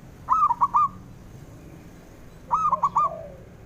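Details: Male zebra dove calling to encourage quiet doves to sing: two brisk phrases, each of four cooing, slightly trilled notes at an even pitch, about two seconds apart, with faint low background hum.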